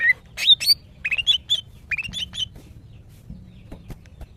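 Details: Female greater green leafbird, a kept cage bird in breeding condition, calling to attract males: bright whistled notes sliding up and down, given in quick irregular bursts of two to four, then fading into quiet with faint clicks.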